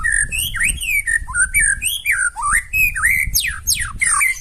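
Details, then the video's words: White-rumped shama giving a loud, harsh song meant to provoke other birds into answering: a fast string of varied whistled phrases, some rising and some falling steeply, with sharp high notes layered above. "KICAUAN MURAI BATU NEMBAK KASAR AUTO NGAMUK SEKALI DENGAR LANGSUNG NYAUT"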